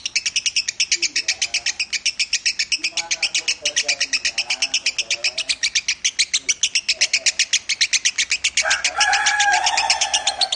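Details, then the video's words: Lovebird performing Minor song, a competition bird nominated at Piala Raja. A long, fast, metallic chatter of high notes runs for over ten seconds. Low warbling sounds sit beneath, and a louder mid-pitched call overlaps near the end. "Masteran burung lovebird suara Minor"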